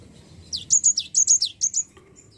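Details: Java sparrow, played as a lure to prompt a lazy bird to sing: a quick run of about eight high, sharp chirping notes over roughly 1.3 seconds, then a faint note and quiet.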